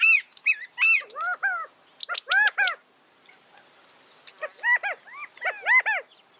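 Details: California quail making loud, arched, slurred calls in short runs, some notes rising and others falling, with brief high chirps between them, a quiet gap midway, then another run of calls.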